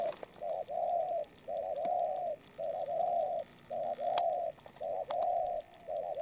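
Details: Moulting spotted dove cooing in a quick, steady run: six or seven even, hollow coos of similar length follow with short gaps, while sharp clicks and a thin high-pitched hum sound in the background.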